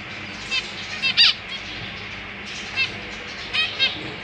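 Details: Captive zebra finches, parents and newly fledged young in a cage; a few short nasal calls and one brighter beeping call, separated by quiet stretches of low hum.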